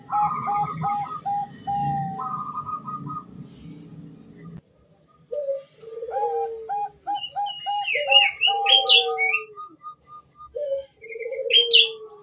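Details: Female zebra dove, Bangkok type, calling to the male as a training lure: quick hooked cooing notes and a held note, followed by lower sliding coos, with chirps from other birds overlapping.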